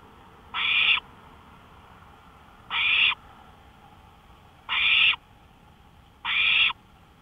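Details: Owl on a porch in the small hours, 1:53 AM, May 5, 2013: four rasping, screechy hisses, each about half a second long, spaced roughly two seconds apart over a quiet night background.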